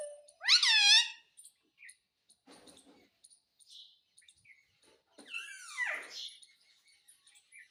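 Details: Parrot voicing a request for roti with a loud rising-falling syllable at the start, a stretch of quiet clicks, then a longer, wavering, downward-sliding word near the end.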